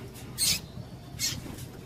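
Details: Female double-collared seedeater calling to excite males, kept by breeders for singing tournaments: two short, sharp, high chips about three-quarters of a second apart over a faint low hum.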